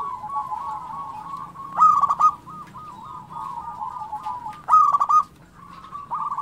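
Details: Vigorous local zebra dove song meant to coax silent captive doves into calling: a steady stream of mellow, rolling coos punctuated by two loud, abrupt staccato phrases, the second arriving about three seconds after the first.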